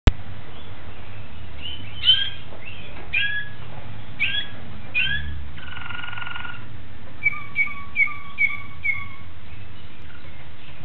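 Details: Malinois Waterslager canary recorded 26 October 2012, singing separate short phrases: bright whistled slurs, a buzzy burst near six seconds, then a string of clipped chirping notes repeated about every half second, over a steady low hum.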